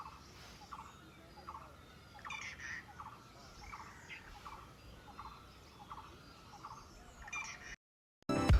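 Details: Rufous Treepie near a village in India gives short, clipped notes about twice a second, with harsher chattering bursts, over a steady low rumble; a brief burst of music closes it.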